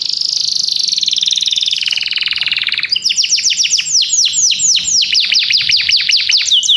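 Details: Belgian canary singing: a long buzzy trill sliding down from high to mid pitch, then a fast series of loud descending whistled sweeps repeated several times a second.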